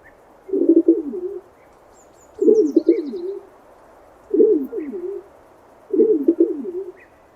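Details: Pigeon giving a run of four throaty coo phrases, roughly one every two seconds, each a warbling low note that trails into a softer tail, over a steady background hiss and faint distant twitters.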